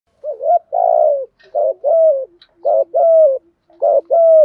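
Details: Spotted dove decoy calling, used to provoke wild doves and train decoy birds: low hooting coos in paired phrases, a short rising note then a longer level or falling coo, repeated about four times in quick succession.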